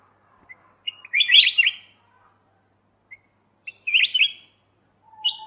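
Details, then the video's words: Golden white-eyed bulbul, kutilang emas mata putih, on a master recording for training songbirds: a few faint chips leading into two bright, gurgling whistled phrases about two and a half seconds apart, then a third phrase beginning. "suara masteran Kutilang emas mata putih"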